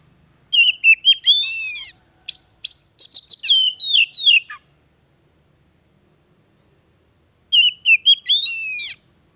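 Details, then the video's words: Oriental magpie-robin singing to prompt a silent bird back into song: rapid bursts of varied sweet whistles and chattery trills in phrases of about two seconds, separated by silent pauses. "TERAPI HARIAN BURUNG KACER MACET"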